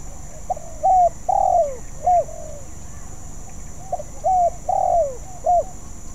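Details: Spotted dove, a young bird practising its song and not yet skilled, gives two similar phrases of soft, mellow coos. Each phrase has a short note, a longer falling coo and a clipped ending, separated by a pause of about two seconds.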